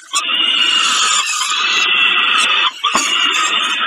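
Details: Peregrine falcon at Kawęczyn while eating a snack, 20 05 22: one long, continuous, harsh wailing cry, briefly broken near the end and then resumed.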